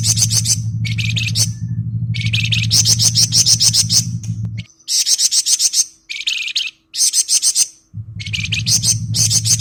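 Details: Flamboyan singing ngebren: rapid, buzzy chattering trills repeated in quick high-pitched bursts separated by brief gaps, a steady low hum dropping out midway then returning.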